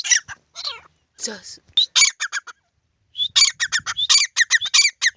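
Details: Grey francolin pair in a field. Scattered harsh notes are followed by a long run of loud, rasping, evenly spaced notes, each series introduced by a thin rising whistle.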